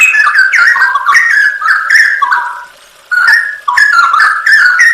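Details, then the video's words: Songbird training recording of a cucak rowo (straw-headed bulbul) in full 'isian nembak' style: loud, mellow, gurgling whistled phrases slurring up and down, a short pause near three seconds, then the song resumes. "masteran cucak rowo full isian nembak"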